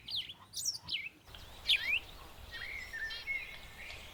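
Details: A captive bird family of zebra finches, kept as pets and bred, utters quick high chirps at first, then a sharp rising note and longer, thinner calls over a steady hiss of background noise.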